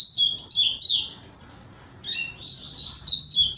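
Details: Double-collared seedeater coming out of moult, now much thinner and keen to sing, gives bright, high twittering phrases in quick bursts broken by a short pause, with faint background hum.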